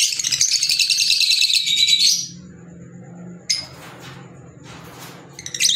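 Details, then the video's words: Pet green Fischer's lovebirds in a burst of shrill, rapidly pulsed high chattering lasting about two seconds, followed by a quiet stretch with low background hum and a few sharp chirps. "Fisher Love Birds Sound | African Lovebirds | Green Fisher Love birds Voice"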